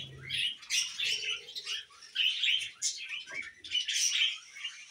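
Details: Budgerigars kept as pets chatter in bursts of high, raspy chirps and twittering notes, with brief quieter gaps between the phrases.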